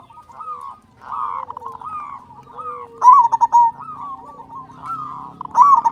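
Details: A loud local zebra dove, used to provoke other doves into singing, breaks in with a rapid, stuttering coo phrase and starts another at the end, over soft, wavering coos from nearby doves.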